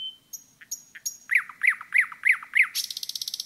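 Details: Common nightingale in woodland: a pure whistle, three sharp clicking notes, five strong evenly spaced rising notes, and a rapid rattle to finish, all clear over a quiet background.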